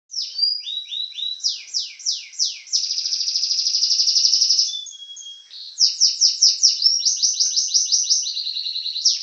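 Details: Champion canary singing: trills of rapid downward-sweeping notes, a long steady buzzy roll, a brief pause, then fast repeated swept notes and quick chirps, all high-pitched and loud with no other sounds.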